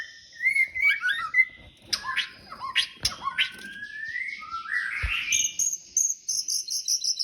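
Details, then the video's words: Courting male white-rumped shama singing to a female, mixing rich slurred whistles, long upward glides and sharp clicks, ending in rapid high repeated notes. "Murai jantan merayu betina"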